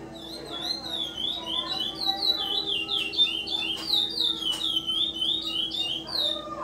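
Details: Chestnut-bellied seed finch (curió), a bred male from the 2020/2021 season, singing a fast, continuous run of clear, sweet whistled notes that rise and fall, with a faint steady hum behind.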